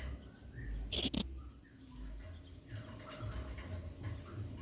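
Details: A blue-crowned hanging parrot sings in 'main singa' style as training material for other birds: a single quick double squeak, very high and thin, followed by faint background clicks and hum.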